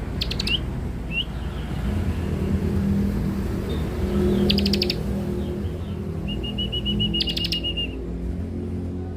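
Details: Young bar-winged prinia (ciblek) giving lure song: scattered sharp high bursts and a short upslurred note, then a rapid even trill of high ticking notes near the end, over steady low traffic rumble.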